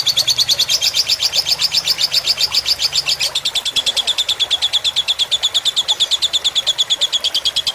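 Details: Lovebird fighter-style tutor song with trickling water meant to relax birds: loud, rapid shrill chatter carrying a bright ringing tone, shifting slightly lower after three seconds and continuing steadily to the end.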